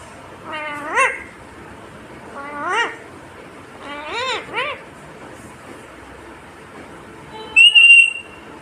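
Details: Talking pet parrot, said to say mummy and papa, giving short rising speech-like syllables spaced about every two seconds, ending in a sharp high whistle, over a steady background hiss.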